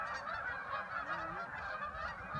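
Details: Migrating Canada geese heading south in flight, many birds honking at once, a steady overlapping wall of nasal calls with slight swells in loudness.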